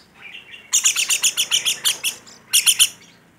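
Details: Rainbow lorikeet in lively voice: a rapid, shrill chattering run of about fourteen high notes, a short pause, then a burst of four more.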